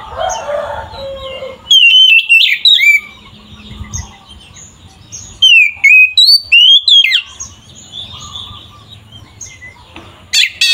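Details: Oriental magpie-robin singing loudly in a provoking, combative style: short clusters of clear whistled notes sliding downward, separated by quiet gaps with faint background noise and a low hum.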